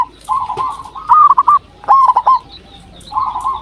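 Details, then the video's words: Zebra dove, a local bird, calling as a lure: quick series of trilled, pulsing coos, softer rolling phrases at both ends and sharper clipped notes between. "Perkutut Lokal Gacor RAJA PIKAT Ahlinya Bikin Semua Burung Perkutut Pada Nyaut"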